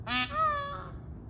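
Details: Indian peafowl in a yard at morning roost departure, among hens and peachicks, gives a single loud, nasal two-part call: a harsh rising burst then a drawn-out, slightly falling honk, about a second long.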